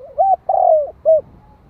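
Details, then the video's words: A single cooing phrase from a decoy spotted dove, sung in the 'hạp bổi' style to excite wild birds. A quick upslurred hoot leads into a long sliding coo, then a short clipped final note, all in a clean, quiet setting. "Chim cu gáy kích mồi tập bổi - Tiếng Cu Gáy Giọng Hạp BổI [ GÁY GỌI + THÚC ] Kích Bổi Nhanh Nổi"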